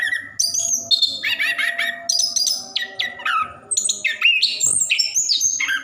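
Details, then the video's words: Orange-headed thrush kept in a cage, delivering a rolling song meant to stir lazy caged birds into singing; loud whistled notes, harsh squawky bits and descending slurs follow one another in quick bursts. "Anis Kembang / Plontang Gacor Ngerol | Durasi Panjang cocok untuk pancingan burung malas bunyi"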